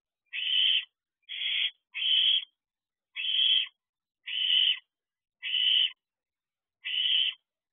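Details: Owlets at an owl box in the early hours of 27 June 2023, two young birds together demanding food: seven loud, noisy hissing screams, each roughly half a second, coming about once a second with uneven gaps.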